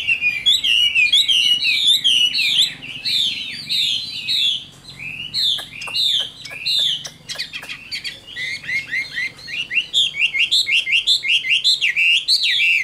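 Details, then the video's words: Caged Chinese hwamei, described as a wild-caught adult with a fine voice, pours out a long, continuous song of ringing, looping whistles and rapid repeated notes, loud and varied throughout. "Tam Hoàng, Tố Chất Giọng Hay. Chim Chuẩn Già Rừng"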